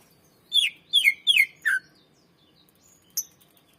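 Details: Greater green leafbird song, a 'gacor' bird played to lure and train others: four downward-slurring whistled notes about half a second apart, then one faint high chip.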